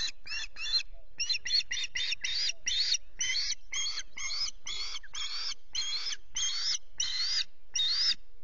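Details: At the RSPB Loch Garten osprey nest on a misty morning, a rapid cluster of short chirps leads into longer, upslurred whistled cries spaced roughly every half second, growing more drawn out toward the end.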